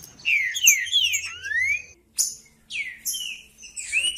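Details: Green-winged saltator singing to warm up other, silent saltators: clear whistled phrases that glide downward, a linked run of slurred notes first, then after a pause short separate falling whistles; a faint steady high tone runs underneath.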